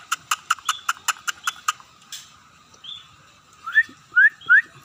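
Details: Scaly-breasted munia starting to sing: a quick run of about nine dry clicks, a soft buzzy note, then three sharp, rising whistles.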